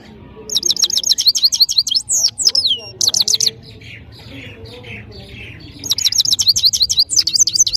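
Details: Parachinar goldfinch singing strongly: bursts of rapid, high repeated chirps, a few downward sweeps, a softer quieter passage in the middle, then the quick twittering resumes.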